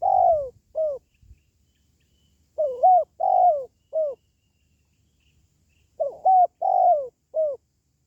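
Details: Spotted dove calling, a sound meant to lift the morale of pet doves at home or attract wild ones when trapping; three phrases of four cooing notes, the long third note sliding downward, about three seconds apart.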